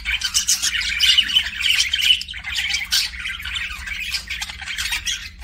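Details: Budgerigar kept as a pet producing kissing sounds: steady scratchy warbling chatter mixed with sharp clicks and brief squawks, irregularly pulsing, with low steady hum beneath.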